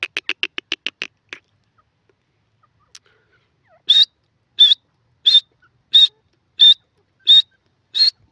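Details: Grey francolin, also called teetar, calling: a fast run of about eight short rasping notes, then a pause and a series of loud, high, evenly spaced notes repeated roughly every two-thirds of a second. Background otherwise silent.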